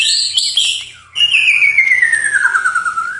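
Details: Night song of a white-rumped shama: a quick high chattering phrase, a short gap, then a long, clear whistle sliding slowly downward for two seconds.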